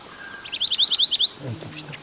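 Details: Long-tailed minivet singing in the forests of Kashmir: a quick run of about eight thin, high, upslurred whistles in under a second, followed by a faint low hum and soft rustling.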